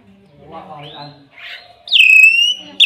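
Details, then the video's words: Hill myna giving soft, throaty, speech-like babbling, then a sudden piercing whistle that falls steeply and holds steady, ending with a short sharp note. "BEO super gacor"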